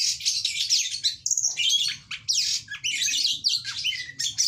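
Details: Oriental magpie-robin in lively, chattering song: a dense, fast stream of varied high whistles, sweeps and short trills with barely a pause, over a low steady background hum.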